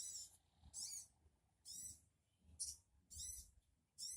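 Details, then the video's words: Sogon call played to make another sogon answer: five or six harsh, raspy, hissing screeches at roughly one-second intervals, with faint low rumbling between them. "Burung sogon Dijamin 3menit sogon anda akan nyaut"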